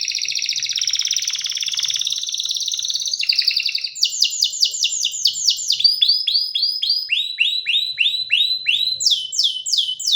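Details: Canary song. A dense buzzy trill is followed by runs of repeated falling whistled notes that shift pitch from phrase to phrase.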